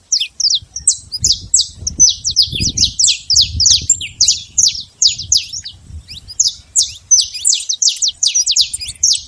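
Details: Saffron finch free in nature sings an extended sequence of rapid, sharp, falling chirps, tightly packed and repeated steadily for over nine seconds, with some low background noise.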